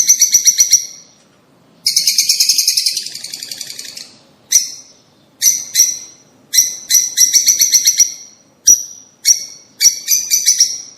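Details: Rosy starling: rapid series of harsh, rattling chirps in short bursts separated by brief silences, one longer grating chatter near the start, then repeated sharp, clipped notes at irregular intervals.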